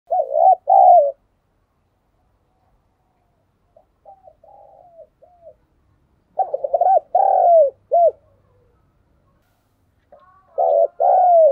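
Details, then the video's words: Spotted dove used as a decoy, its cooing played so other doves will call in rainy weather; three phrases of low, hoarse, rounded coos, each a quick cluster of notes, spaced a few seconds apart, with a softer muted passage between. "Trời mưa thế này bổi và mồi lười gáy thì anh em hãy mở ngay vdeo Chim Cu Mồi này nhé"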